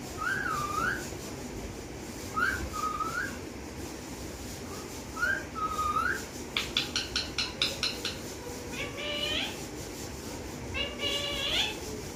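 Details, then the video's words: Parrot whistling over a steady background hum. Short slurred whistled phrases repeat several times, then give way to a fast run of clicking chatter and stepped, rising whistled notes. "Talking Parrot"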